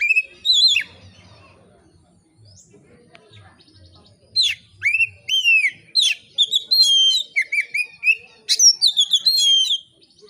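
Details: Oriental magpie-robin singing in an easy, open manner to provoke other magpie-robins: a brief whistle, a quiet gap, then a lively sequence of sweeping, upward-flicking notes and clear descending whistles.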